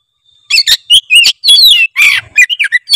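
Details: Oriental magpie-robin (kacer) singing in lively gacor style: rapid varied phrases of sweet whistles, upslurred and downslurred notes and harsh scratchy bursts, following each other almost without pause.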